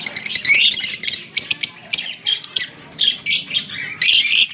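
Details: A green Fischer's lovebird pair, October 16, 2023: loud, shrill chirps and squeaky squawks repeat roughly every half second in a lively, steady series.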